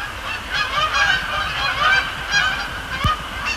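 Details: Night-time Canada geese at Sapsucker Woods Pond, Cornell Lab of Ornithology, in late October, arriving and landing; busy overlapping honks, some upslurred, with one sharp knock near the end.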